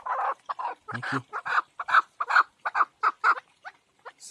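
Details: Home-reared partridge chicks give harsh clucking notes in quick, uneven bursts of about two or three a second, with some lower, fuller sounds in between.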